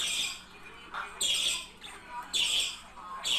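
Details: Pair of budgerigars, whose calls are said to stimulate mating: harsh, buzzy squawks in short bursts about every second, separated by quieter gaps, with a few lower chirps between them.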